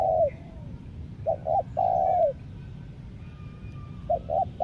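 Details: Spotted dove kept for luring wild birds in Lombok: a long falling coo, then two short notes and a long drawn coo, then two more short notes; faint distant whistles.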